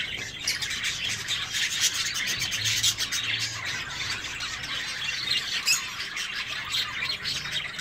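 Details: Aviary-kept zebra finches producing a continuous chorus of high, buzzy chirps and squeaky calls from many birds at once, steady and dense throughout.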